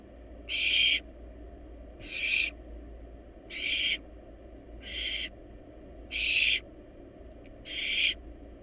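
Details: Barn owl chicks, wild, in a research nest box while devouring and swallowing a large rabbit, give six rasping hiss-screeches in an even series about every 1.5 seconds, with a quiet low rumble beneath.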